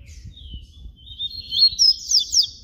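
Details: Single drawn-out flute-style phrase (canto flauta) from a yellow-bellied seedeater, papa-capim baiano: soft high whistle building into louder quick slurred notes, over faint low background hum.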